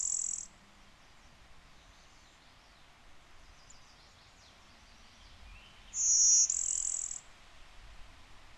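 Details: Blue-winged warbler (Vermivora cyanoptera) in Connecticut, where Blue-winged and Golden-winged warblers interbreed heavily, giving a very high, dry, buzzy song: a brief buzz, then a two-part bee-bzzz about six seconds later, over quiet background.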